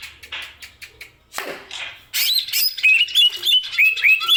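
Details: Greater green leafbird in song: soft scattered clicks and a faint rasp at first, then an abrupt loud burst of bright chattering and sharp rising-and-falling whistled notes in rapid sequence.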